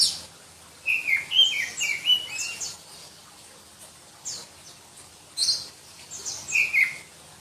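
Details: Oriental magpie-robin of the black-breasted variety from Berau, East Kalimantan: a loud run of whistled, rising and falling notes, a pause of a few seconds, then further high chips and a final whistled phrase.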